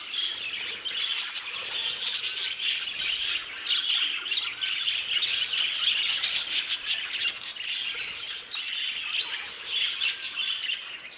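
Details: A flock of budgerigars in an aviary produces continuous high warbling and chirping, with harsher squawks mixed into the steady chorus.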